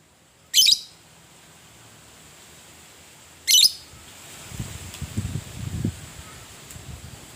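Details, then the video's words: A fighting lovebird, heard as a provoking call to rouse other lovebirds, gives two short, grating high chirps about three seconds apart. Soft rustling and low thumps follow. "PANCINGAN LOVE BIRD PETARUNG NGETIK NGEKEK - Bikin semua jenis Lovebird langsung emosi"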